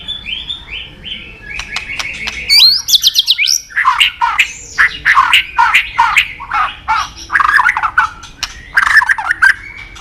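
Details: Sought-after white-rumped shama delivering a busy song of fluty whistles, rapid stuttering trills and harsher chattering notes in quick bursts, steady throughout with brief gaps.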